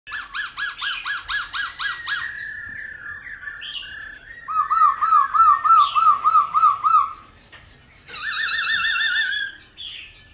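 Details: Black-throated laughingthrush (Pterorhinus chinensis) giving loud, varied "wild mature" song: runs of rapid rising whistled notes, about three a second, broken by shifting squeaky phrases and brief pauses. It is played to stimulate captive laughingthrushes to sing.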